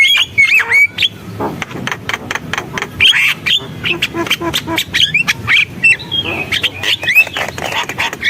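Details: Lively gacor song from a Javan myna: looping whistles and downslurred squeaks among a dense run of dry clicks and rasping notes, changing pattern every second or so.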